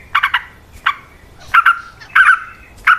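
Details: Yellow-vented bulbul singing long rapid 'ropel' fighting song, meant as a lure for other bulbuls: harsh bubbly notes grouped in clusters of two or three, with short gaps, over a quiet background.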